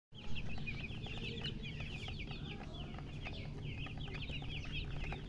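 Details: Chicken chicks, many together, giving dense high peeping chirps in short rapid overlapping notes, continuous throughout over a steady low hum.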